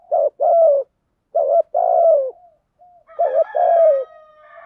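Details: Decoy spotted dove calling in urging and calling coo styles for stimulating doves: three paired phrases of low hollow coos, a short note then a longer falling one, with thin high chirps from another bird joining toward the end.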